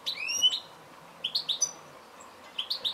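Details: Goldfinch: one drawn-out rising whistled note, then groups of three quick, liquid chirps, with a faint low hum underneath.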